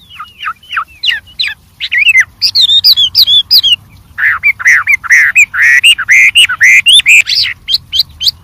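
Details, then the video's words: Varied song of a wild white-rumped shama: descending whistled slurs, a short pause, then a vigorous stream of rising and falling whistled notes delivered in quick succession. "suara Burung Wambi Gacor Variasi Banyak dialam liar"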